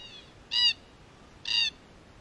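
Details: ['Two harsh, grating screeches roughly a second apart from wild red-tailed black cockatoos, a group in Australia filmed by a spy camera they attacked and destroyed; a faint distant call precedes them.']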